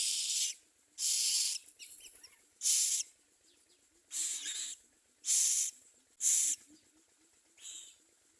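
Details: Young common mynas at a nest calling with eight harsh, hissing bursts of varying length, irregularly spaced, with faint softer scratchy sounds between them.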